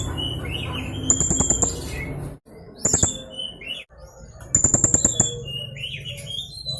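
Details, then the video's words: Young blue-crowned hanging parrot singing, used to prompt other birds to sing: three bursts of rapid, very high, thin shrill notes with sharp clicks, other birds whistling lower throughout and a low steady hum beneath. "Suara masteran burung serindit muda gacor full nembak emosi"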